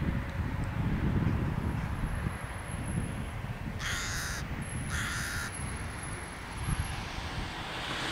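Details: A rook at a bird-feeding spot in Busko-Zdrój, Poland, gives two harsh, hoarse caws about a second apart over a steady low rumble of wind or traffic, with faint high chirps from other birds.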